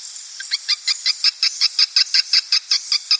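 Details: Swiftlets called in with a lure recording meant to attract breeding birds into a nest house: a steady train of short, high chirps repeated nearly three times a second over a faint continuous hiss.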